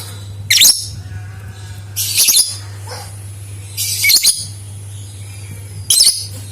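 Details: Repeated lovebird chatter used as a lure for other lovebirds to sing: four shrill, scratchy bursts, one roughly every one and a half to two seconds, over a steady low hum.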